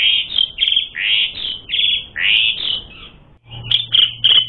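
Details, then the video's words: A lure recording of Asian pied starling song used to provoke fighting: long slurred rising whistles and trilled phrases, a brief gap, then sharp clipped notes over a low steady hum. "Suara Burung Jalak Suren Gacor Full Isian Mewah Jadikan Suara Pancingan Jalak Suren Tarung"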